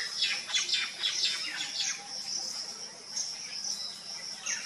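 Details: Three restless Common Myna nestlings in a coconut trunk cavity, coastal Odisha, under sunny skies while a parent brings food: clustered scratchy falling chirps early on, then sparser notes, above a constant high-pitched insect buzz.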